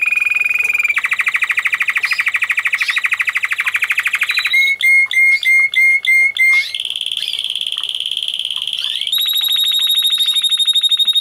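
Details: White Spanish Timbrado canary singing: dense rolled trills around the middle range, then a run of clipped metallic notes repeated about twice per second, switching to higher sustained buzzy rolls and a bright final trill; no other sounds.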